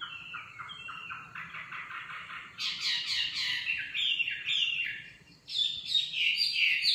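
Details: Nightingale delivering rapid repeated notes in rhythmic series, switching to higher trills and whistled phrases, loud and close.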